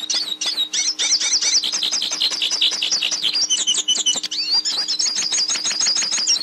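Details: Hooded siskin (pintassilgo) song for teaching a kept bird to sing: a continuous, rapid, high-pitched twittering of trills and chirps, with short whistled notes toward the end and a faint steady low hum beneath.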